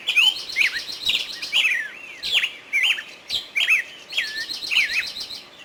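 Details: Lively bulbul phrases of bent, liquid whistles and quick chirps, repeated in bursts under a second apart, with faint clicks in between.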